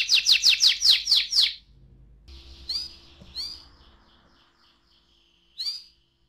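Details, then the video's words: Canary in 'ngerol' rolling style, played as a lure to get other canaries singing: a quick burst of high downslurred notes, then sparse, separated swooping notes over a faint hum and long quiet gaps. "KENARI NGEROL AMPUH BUAT PANCINGAN KENARI"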